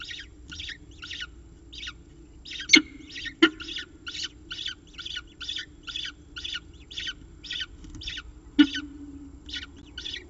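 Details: Peregrine falcon calling at the nest ledge during a meal, FalconCam at Charles Sturt University, Orange, NSW: harsh, scratchy notes repeated steadily about twice a second, over a low electrical hum and a few sharp knocks.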